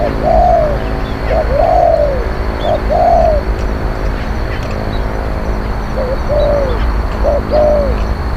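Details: Spotted dove used to lure wild birds, a strong fierce cooer, gives paired phrases of a short note and a longer falling coo, then a quiet pause before more, with faint chirps and low rumble.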